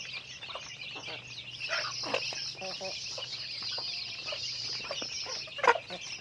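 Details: Flock of chickens during everyday activity, giving irregular clucks and a few brief harmonic calls, set against a steady bright wash of high twittering chirps.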